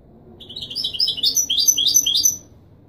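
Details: Goldfinch song in the Marrakchi Widani style, meant for teaching fledglings: one continuous phrase of about two seconds, varied, liquid, high twittering notes that jump up and down in pitch.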